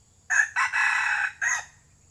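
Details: A red junglefowl heard while luring wild junglefowl gives one short, clipped crow: a brief opening note, a longer harsh middle syllable and an abrupt falling end, over faint low background noise.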